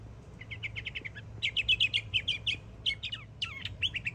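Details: Florida mockingbird, a young bird singing energetically: quick series of clipped repeated notes, then louder trilled phrases and rising-falling whistles, dense and continuous over a faint low hum.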